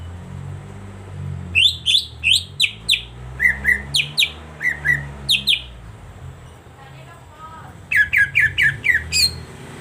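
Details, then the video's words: Cucak ijo song meant to stimulate a silent bird: repeated short bright chirped notes in a steady series, a gap, then a fast cluster of chirps, with a low steady hum beneath. "pancingan suara cak ijo sangat ampuh untuk terapi cak ijo macet"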